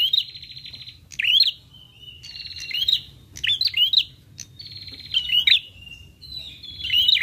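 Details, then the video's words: Prinia lure sound: dry buzzy trills alternating with sharp twisting chirps and thin drawn-out whistles, about 39 phrases a minute in uneven rhythm, with a low faint hum behind. "PRENJAK LANGSUNG NYAUT DENGAR SUARA PIKAT INI"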